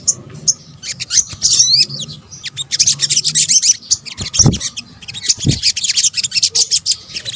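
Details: Combined sunbird lure calls, locally sogok ontong: energetic high twittering with looping whistled slurs early on, then rapid clustered chips in waves, with occasional low thumps.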